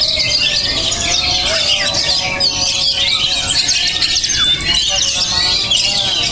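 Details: Oriental magpie-robin with strong temperament singing a rapid, unbroken string of high twitters, sharp chips and brief whistled phrases over a faint low background hum.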